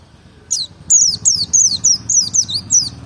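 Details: Provoking song of a Merapi white-eye, ngalas double style: a fast, steady string of about eight bright, high descending whistles, evenly spaced, over a soft low background murmur.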